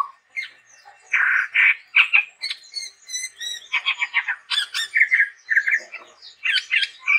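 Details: Dense, busy song of a chestnut-rumped babbler in full voice, mixing harsh buzzy chatter, rapid clicking notes and brief whistles with hardly a pause.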